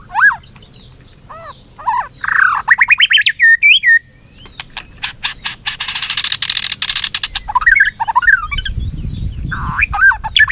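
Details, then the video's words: White-rumped shama singing competitively while flicking its tail: clear whistled slurs rising and falling, sharp click-like snaps, then a dense buzzy stretch of rapid notes before more looping whistles. "Chòe lửa hót đấu, đập đuôi cực hay"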